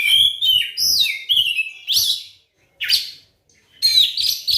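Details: Lure song of the kacer, or Oriental magpie-robin, meant to start silent birds singing: bold rising and falling whistles and harsh chirps in short phrases, broken by two brief silences.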